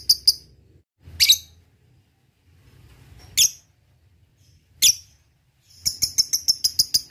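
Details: Lovebird calling in ngetik style before ngekek, used as a lure for rivals: a few scattered high clipped chips at irregular intervals, then a quick burst of rapid repeated notes at the close.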